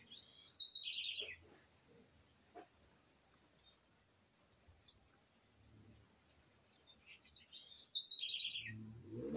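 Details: Bird singing a short falling trill that drops into quick repeated notes, once near the start and again near the end, over a continuous shrill high buzz and faint background noise.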